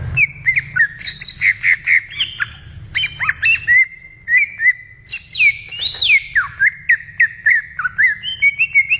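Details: Greater green leafbird singing in the wild, a lively, nearly continuous stream of whistled notes and slurs, some swooping down or up, with rapid repeated phrases and varied higher notes.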